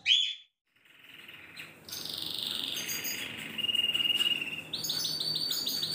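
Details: Silver agate canary noted singing actively (gacor) on 23 December 2020: a brief loud opening note, a short gap, then soft sustained high whistled tones and a steady trill, fairly quiet overall.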